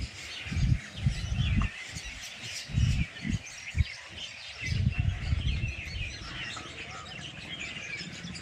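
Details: In a village, many birds chirp together in a continuous high twittering wash, with irregular bursts of low rumbling noise in the first half.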